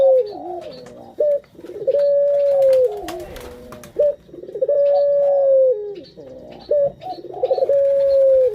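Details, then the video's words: Lure cooing of a puter, a Barbary dove raised as a hobby bird. Sustained mellow coos alternate with brief stuttering trills in a steady repeating rhythm, with faint high twitters of other birds behind. "Pancingan Burung Puter Paling Keren"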